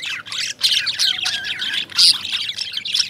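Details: Lovebirds, small parrots of the genus Agapornis, chirping in a dense, shrill chatter. High squeaky chirps and squawks tumble over one another in quick overlapping bursts, with brief dips between flurries.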